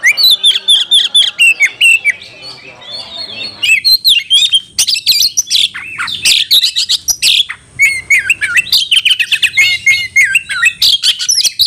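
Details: An Oriental magpie-robin pours out loud, rapid, varied phrases of sweet whistles mixed with harsh scratchy notes, nearly nonstop and high-pitched, with no other sounds; a call used to provoke rivals.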